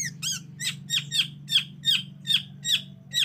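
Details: Harsh, grating squawks from a long-tailed shrike lure, played to provoke reluctant shrikes into song, repeated roughly every third of a second in a rasping series over a loud low hum.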